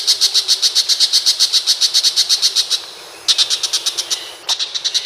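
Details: Long-tailed shrike, called pentet macan, from Indonesia: bursts of sharp, high chattering notes repeated rapidly, about four per second, with short pauses between bursts.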